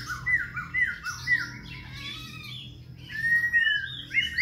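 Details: Khe Sanh laughingthrush, singing while dancing and switching voices without pause: a row of three clear, slurred whistles, then harsher chattering, ending with a long, level whistled note and quick chirps.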